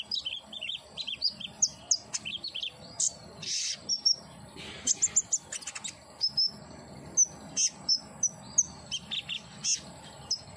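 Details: Common iora therapy recording meant to make a caged bird sing: scattered high chirps and thin slurred whistles, with a brief louder burst of rustling noise in the middle.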